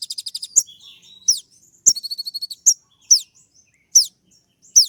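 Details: Kolibri ninja, or brown-throated sunbird, singing the sharp 'tembak' style used to make rival birds answer: a fast opening rattle, then loud high slurred whistles about every half second with one brief chattered series.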